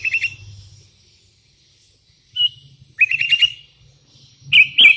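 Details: Sooty-headed bulbul calling to rivals, with wild bulbuls answering: loud bursts of bright chattering, bubbly notes around the upper register, one short phrase near the start and three clustered bursts later, separated by silence and low rumble.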